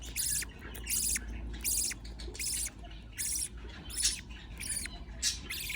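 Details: Baby budgies being fed by a parent, giving rhythmic rasping begging bursts, high and hissy, about eighty a minute, some slightly longer and uneven, over a faint low hum.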